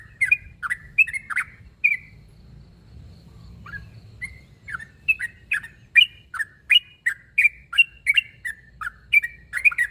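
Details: Sooty-headed bulbul calling a rival: a few lively chirps, a near-silent lull with two isolated notes, then a fast, busy string of bubbly notes with short whistled tails, over faint background hum.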